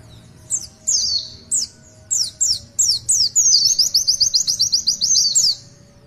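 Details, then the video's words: Oriental white-eye (pleci) song in the tulitwitwit style: spaced, sharp, high downslurred whistles gradually quicken into a rapid trill of repeated bright notes lasting about two seconds before stopping. "Tulitwitwit panjang pleci Gacor"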